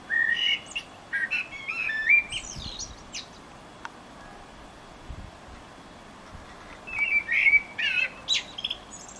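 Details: Eurasian blackbird song from Utrecht, 9 June 2014. Rich whistled phrases with thin, high squeaks are followed by a long quiet pause, then a second fluted, warbling phrase.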